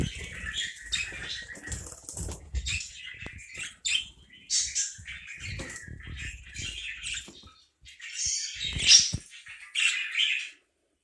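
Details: Parakeet chatter of squeaky, rasping notes in uneven bursts, with a louder scratchy outburst near the end and light fluttering or rustling sounds.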